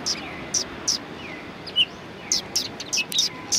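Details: Sparrows at a Tenmangu shrine, 1 March 2020: clipped high chirps spaced irregularly, a quiet gap mid-way, then a quicker cluster of overlapping chirps from more than one bird.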